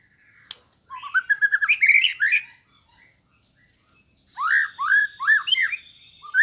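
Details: White-rumped shama from Indonesia on a master training recording, with a rapid burst of rising chattering notes, a short pause, then bright swooping whistles over a thin sustained high tone.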